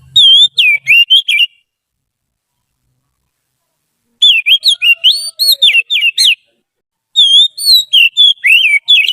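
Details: Oriental magpie-robin, trained and used as a song tutor, sings three bursts of fluty, swooping whistles with brief silences between them. The middle burst is the longest.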